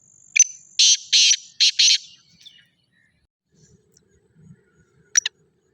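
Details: Black francolin calling: a brief high note, then four rasping, scratchy bursts in quick succession. After a long silence comes one more short double rasp.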